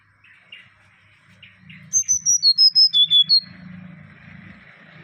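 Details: Mangrove whistler delivering a string of about eight loud, pure whistles that descend stepwise, preceded by faint low chirps. A steady low hum and some murmuring noise run underneath.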